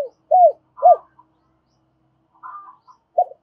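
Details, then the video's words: Spotted dove kept as a decoy, giving double-voiced calls to attract wild doves: two loud, low arched coos, then quieter, higher hoarse notes and a final short coo. "Tiếng chim cu gay mồi thúc bổi và gáy gọi giọng đôi"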